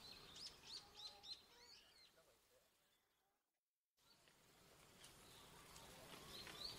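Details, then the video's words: Japanese tit filmed 29 November 2015 gives a quick run of high, thin, repeated notes (possibly song) and contact calls, then a brief silence and fainter high calls; afterwards about two tits fed on tree nuts. "シジュウカラJapanese Tit の鳴き声"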